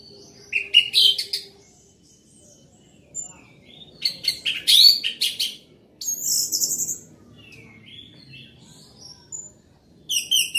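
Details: Orange-headed thrush singing loudly and prolifically: separate bursts of high, varied chirps and whistled notes, some rising, in phrases about a second long with short silent gaps between.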